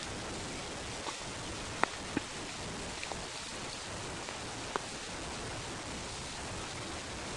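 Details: Steady rain pattering on surfaces, with a few sharp drop clicks and no animal calls.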